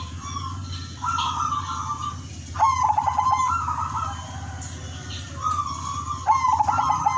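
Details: Melodious 'udanmas silver' zebra dove song kept as a lure for other doves. Coos start with a brief rattled stutter and then hold a smooth, even note. Phrases come in at about one and three seconds, then again near six, over a continuous low hum.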